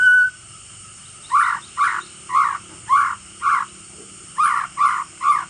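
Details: White-rumped shama, male, giving fierce crackling chatter used to provoke rival shamas: a series of rough, buzzy bursts, about eight in all, repeated roughly every half second with a brief pause in the middle.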